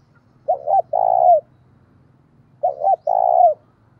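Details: Spotted dove as a decoy, calling to provoke rivals; two low phrases roughly two seconds apart, each a quick doubled note followed by a longer coo that falls off at the end, soft low hum beneath.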